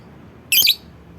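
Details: Lovebird lure call meant to prompt other lovebirds to sing along: one short, harsh, high chirp burst of about a quarter second, with a faint low hum in the background.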